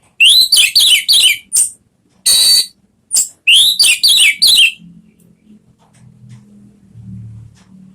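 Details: Orange-headed thrush song used as a lure to prompt a pet bird to sing loudly: loud clipped whistles sweeping upward, delivered in quick bursts with a short harsh rasp midway, then low background rumble.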